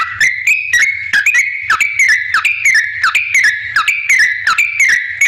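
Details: Yellow-vented bulbul in lively song, used as a lure to make other bulbuls answer: bubbly, liquid whistled phrases repeated in quick succession, each about half a second, broken by sharp clicking strokes, with a low steady hum beneath.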